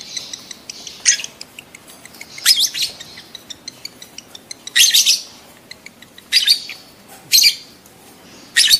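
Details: Lovebirds in breeding condition, calls used to stimulate mating: sharp high chattering squeaks in irregular bursts every one to two seconds over a background of faint ticking chirps.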